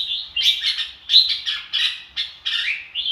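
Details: Red-whiskered bulbul giving a string of loud, slurred whistled phrases, each rising then falling, spaced unevenly with short silences between them.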